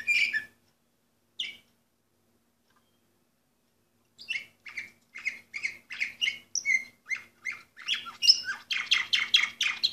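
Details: Orpheus breed canary singing, dated 2014: a few scattered notes, then a run of short bright chirps about twice a second building into dense, loud trilled phrases; faint low hum beneath.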